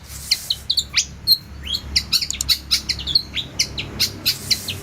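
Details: Energetic long-tailed shrike song full of varied fills: rapid bright chips and short whistled upslurs, repeated in quick irregular bursts, clean and high-pitched against a quiet background.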